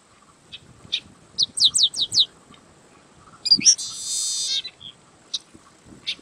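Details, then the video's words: A yellow-winged blackbird (Agelasticus thilius) sings a quick series of four or five high, downslurred chips, then a harsh buzzy trill, with scattered short high notes around it. "Canto do Sargento Agelasticus Thilius"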